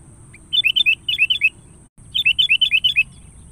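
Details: Sooty-headed bulbul calling a rival: two bursts of bubbling, fluty chirped notes, each a quick run of about six rising-and-falling whistles, separated by a short pause, with a steady high hiss behind.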